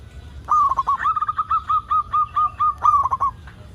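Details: Zebra dove of a local variety, an avid singer recorded as a lure to get other zebra doves singing. After a short quiet start, stuttering coos lead into an even series of clear, slightly slurred notes, closing with a fast trilled cluster.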